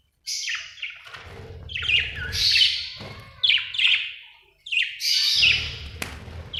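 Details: A happy budgie chirping, an Australian bird: dense, scratchy warbling chirps in bursts, with a low rumbling background hum under the calls.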